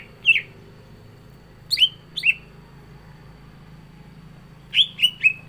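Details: Captive green leafbird with sparse song: single sharp, down-slurred whistles spaced out, ending in a quick run of three falling notes.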